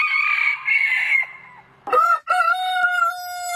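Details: Aseel rooster crow: a rough high opening phrase, a brief break, then a long, even, ringing note held to the end.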